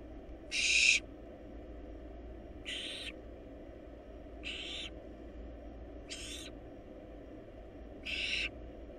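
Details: Barn owl nestlings, wild birds in a research nest box, swallowing a large rabbit; five rasping, noisy hisses, the first loudest, the rest softer and shorter, spaced roughly every two seconds above a constant low hum.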